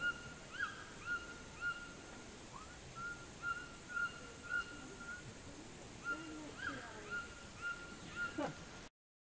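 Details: White-throated (Red-billed) toucan, feeding on Cecropia fruits along the Burro Burro River, Iwokrama Forest, Guyana, giving a steady series of short, yelping notes about twice a second over a constant high insect drone.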